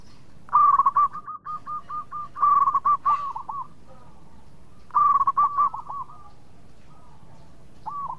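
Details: Sweet-voiced local zebra dove singing eagerly to invite other birds into song: three loud phrases of quick, evenly spaced coos, the first a long rattling run, followed by softer trailing coos and a faint distant reply.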